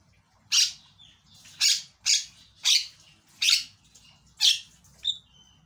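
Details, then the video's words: Javan myna, a loud singing bird, its calls played to lure a silent myna into singing: six harsh, broadband rasping bursts, roughly one every second, with quiet gaps between. "PANCINGAN JALAK BISU LANGSUNG BERISIK"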